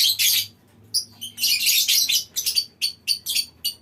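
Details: Lovebirds calling as a colony in a mini aviary; loud, shrill screeching chatter in rapid bursts, followed by a quick run of short sharp chirps repeated several times a second.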